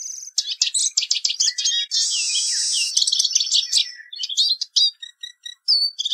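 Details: Eurasian siskin (Spinus spinus) singing: a fast, high twittering run of chirps and trills broken by a long, drawn-out wheezy buzz, then more scattered sharp notes and short trills to the end.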